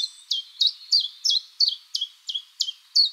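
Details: In a spring forest, a common chiffchaff (Phylloscopus collybita) sings its mating call as a clear chain of loud, high, dropping notes, roughly three each second, evenly spaced against a quiet background.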